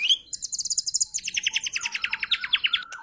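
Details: White-rumped shama, an F3-class bird, delivering harsh song material: a rapid, even trill of high repeated notes that drops to a lower, rattling trill halfway through.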